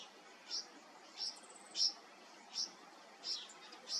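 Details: A young Red Wattlebird, given water by hand, makes short, high, piercing chirps spaced roughly every half to three-quarters of a second, six in a row, against a quiet background.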